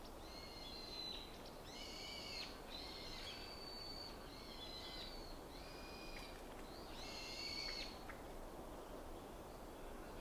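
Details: Wild bird in a morning forest at Ikuta Ryokuchi, Kawasaki, Kanagawa, Japan, February 2025: a series of about seven short harmonic calls, each roughly half a second, given at steady intervals over a constant broad hiss of background noise.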